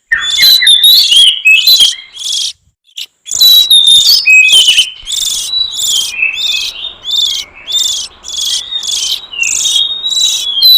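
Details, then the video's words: Oriental magpie-robin song used as a lure for wild forest birds: busy run of slurred whistles and chattering notes, a brief pause, then steady alternation of buzzy bursts and high whistled notes, roughly three per second. "Suara pikat burung kacer liar hutan ampuh"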